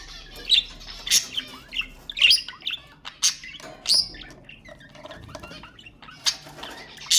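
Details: Budgerigars chattering, with sounds meant to stimulate other budgies: an irregular run of sharp chirps, squeaks and scratchy warbled notes, roughly one burst every second or two, with brief quieter gaps toward the middle.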